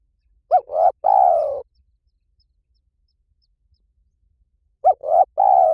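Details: Two mellow three-part coos from a spotted dove, about four seconds apart, used as a decoy call. Each phrase has a short bent note, a medium coo and a long falling coo. Silence fills the gap between them.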